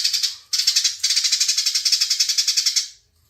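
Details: Sparrows in a fast, tight fight: a burst of harsh, buzzy chirps pulses rapidly for nearly three seconds after a short opening phrase, then stops.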